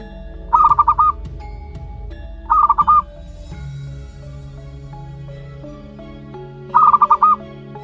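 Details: One-month-old local zebra dove chick of wild stock gives three short bursts of five quick, rapidly pulsed cooing notes, spaced irregularly, over steady background music.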